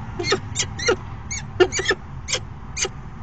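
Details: A falcon at its nest box during a brief afternoon courtship "dance" on 29 September 2016 gives a series of rasping, chip-like calls at irregular intervals, with a low rumbling background.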